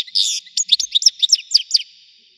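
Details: Short burst of European goldfinch song in the widani style, opening with a nasal buzzy note followed by a quick string of about eight bright, liquid chirps.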